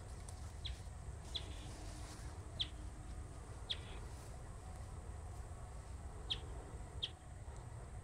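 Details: Bristled grassbird (Schoenicola striatus) calling at Baruipur grassland near Kolkata, West Bengal, India, on 21 January 2023 gives short, sharp, high notes at irregular intervals of one to two seconds over a steady low rumble of wind or distant noise.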